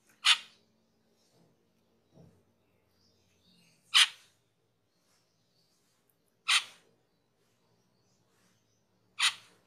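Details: Cucak keling master recording for cage-bird training: four loud, harsh, broadband calls spaced about two and a half to three seconds apart, with faint low knocks between.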